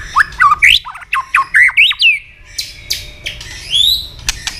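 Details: Fast, tense fighting song of a white-rumped shama flicking its tail: loud varied whistled phrases with swooping rising and falling notes in quick succession, followed by softer high notes and clicks.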